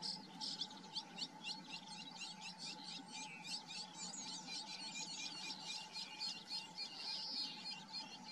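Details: Eurasian tree sparrow young being fed at the nest: dense, rapid high chirps repeated about four times a second, rising into a busier squealing cluster near the end, over a steady low hum.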